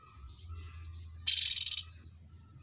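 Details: Cucak cungkok, trained on other birds' songs: soft wavering warbles lead into one loud pulsed, rasping rattle lasting about half a second, over a low hum.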